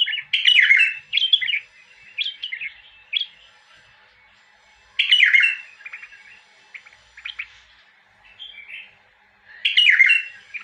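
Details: Bulbul singing: bright, warbled phrases rich in quick up-and-down notes, given in bursts with pauses between, the loudest phrases returning about every four to five seconds, with softer chattering notes in between.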